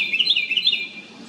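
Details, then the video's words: Loud noise from a small house wren: a quick, shrill burst of rattling notes for about three-quarters of a second, then fading to quiet low background noise. "A little bird(house wren) makes a LOUD noise. 작은 새가(굴뚝새) 큰 소리를 내네요."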